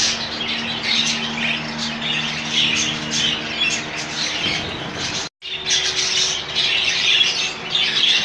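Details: Rainbow budgies in a colony give thick, overlapping chirps and warbles; the sound cuts out briefly, then the chatter resumes just as busily.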